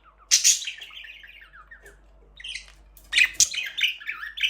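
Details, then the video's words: Aviary budgerigars during their first breeding, with a chick hatched: a quick run of short, falling chirps, a pause, then sharp high clicks and a burst of rapid twittering. "First budgies chick 🐣 in #aviary #birds chirping sound"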